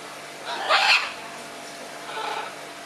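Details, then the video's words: Scarlet macaw in an exchange of calls: one loud, harsh, raspy squawk lasting about half a second, followed after a pause by a fainter, softer answering rasp, over steady background hiss. "Ara arakanga - výměna názorů"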